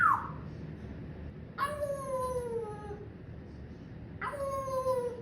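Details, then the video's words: A pet parrot gives two long, falling, rich-toned cries about two and a half seconds apart, each starting sharp and tapering down, after a brief squawk at the start; quiet indoor background. "PARROT MY BUDDY HIS LAUGHING TALKING AND COUGHING"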